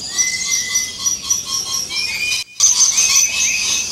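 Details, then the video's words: Shrill lorikeet chatter in natural habitat, with drawn-out whistled notes and rapid squeaky bursts. A short break of near silence comes midway before the screeching resumes louder. "Lorikeet Birds in their natural habitat"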